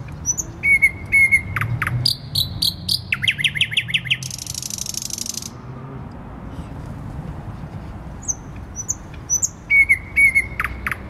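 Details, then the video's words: In Warsaw city centre, Poland, 12 May 2020, a thrush nightingale delivers a varied song: whistled notes, clicking series, rapid repeated chirps and a dry, buzzy rattle, then more whistles over steady urban rumble. "Słowik Rdzawy śpiewa w centrum Warszawy"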